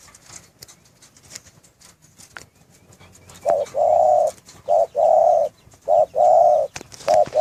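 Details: Spotted dove cooing in a breeding cage: after about three quiet seconds with faint clicks, low, mellow coos begin, each a short note followed by a longer drawn-out one, repeated in a steady series.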